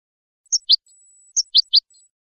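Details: Goldfinch song from a recording made for teaching young birds to sing, clean song with a mixed bird: short high chirped notes in two bursts of three, separated by a pause, over a faint steady high tone.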